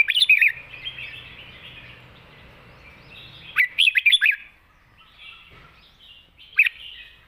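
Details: Red-whiskered bulbul in its wild-style, long-phrased song: a bubbly burst to open, a rapid run of five or six chirpy warbled notes midway, and one more short note near the end.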